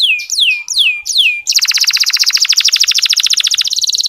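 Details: Canary in soft 'ngeriwik' song, a lure for sluggish male canaries: three slower swooping whistled notes, then a dense, very fast buzzy trill of tiny repeated notes running to the end.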